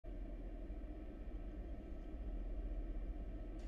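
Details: Steady low rumble of engine or traffic noise throughout, with no animal calls.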